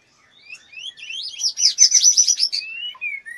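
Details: Female white-rumped shama in breeding condition, fluttering and soliciting mating: a few rising whistled notes build into a dense, fast burst of high, varied chattering notes, then ends on slurred falling whistles.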